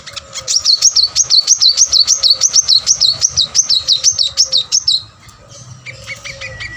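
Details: Energetic Plain-throated sunbird song meant to coax reluctant caged birds into singing: a fast, even string of high, zigzagging notes, roughly three each second for five seconds, then quieter chips and thin whistles. A low steady hum sits underneath.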